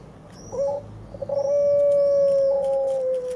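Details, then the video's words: White dove chicks, two young on day 23, one perched on a stick and the other learning to peck the ground. Brief rising note, then a long steady whistled tone held about two seconds, sliding slightly down at the end. "Crías de tórtola blanca"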